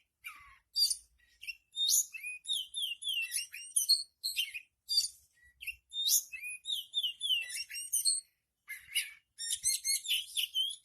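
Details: Oriental magpie-robin singing nonstop. Fast, varied phrases of sharp high whistles, trills and chattering notes, packed closely with only brief pauses, in an otherwise quiet setting.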